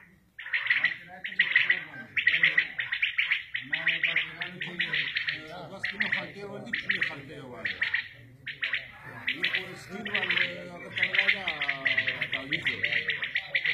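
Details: Quail chorus of common quails (batair) in a village at Shahbazkhel, hunting setting: continuous rapid high triple notes from several birds, overlaid by men speaking nearby.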